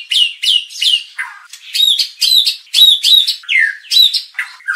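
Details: White-rumped shama provocation song for training contest birds; a handful of downslurred whistles followed by a run of sharp, ringing repeated notes with occasional lower slurred phrases.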